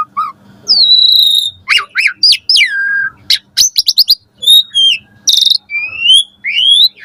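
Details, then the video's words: Caged-bird training recording of Asian pied starling morning song: long slurred whistles, steep downward sweeps, a rapid stutter of clicks and a harsh burst, followed by rising whistled notes. "Pancingan Jalak Suren Gacor Pagi Hari"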